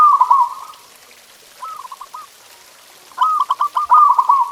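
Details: Local zebra dove master song for training caged doves. A long burred coo, a brief stuttering phrase, then a pause and two fast, rolling trilled phrases close together.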